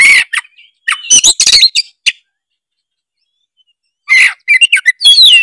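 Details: Oriental magpie-robin in gacor song, used as a lure to make other magpie-robins sing: loud bursts of rich whistles, harsh chattering notes and sharp rising and falling phrases, separated by silent gaps.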